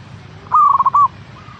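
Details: Zebra dove (local perkutut) song played to stimulate a caged bird to sing: one brief phrase of rapid pulsed, burry cooing notes about half a second long, over low background hum.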